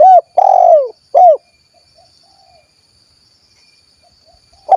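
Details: A kuk 1 spotted dove recorded in Cilacap, Central Java, gives three loud, mellow coos, the middle one drawn out and falling. A quiet gap follows before another coo begins, with a thin high whine throughout.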